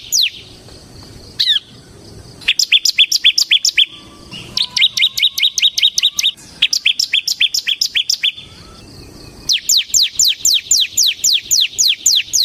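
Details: Ngebren singing from a semi-gacor bar-winged prinia for luring and tutoring caged birds: several long bouts of quick, high, sharply falling notes, separated by brief silences.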